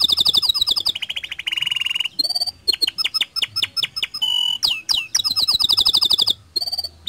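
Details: Canary in full song, meant to prompt other canaries to sing along: alternating fast trills, steady buzzy rolls and sharp separate chips, changing pattern every second or so, with brief pauses.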